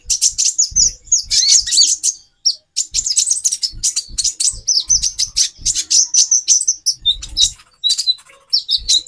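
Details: A female konin (kolibri ninja) calls to stimulate a male's mating drive: a long run of high, sharp chirps and sputtering twitters in tight bursts with short gaps, and light low thuds beneath.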